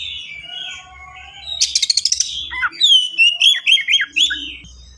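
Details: Kacer, the Oriental magpie-robin, in fast full song: a quick series of about eight clicking chips followed by a run of bright, bouncing whistled notes rising and falling in rapid succession.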